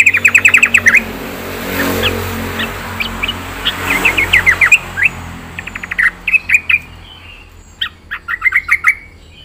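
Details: Yellow-vented bulbul singing in gacor style, full isian: bursts of bright chattering notes near two kilohertz, quick rapid series broken by short pauses, over steady low background rumble.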